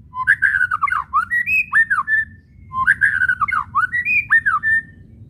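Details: White-rumped shama kretekan, whistles and chattering used to get shamas singing; the same dense phrase of swooping chattered notes given twice, about two and a half seconds apart.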